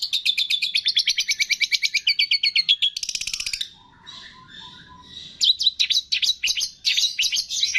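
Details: Song of a long-tailed shrike used as training material, full of borrowed phrases from cililin, greja tarung, lovebird, tengkek and kapas tembak. It opens with a fast rolling trill, pauses on soft low whistles, then breaks into loud rasping chatter.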